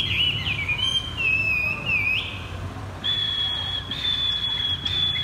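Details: Chinese hwamei, a caged bird set on the ground, sings in the 'thắt cổ chai' (bottleneck) style: loud, clear whistles that slide and warble around a high pitch, then a long sustained whistled note, over faint hiss.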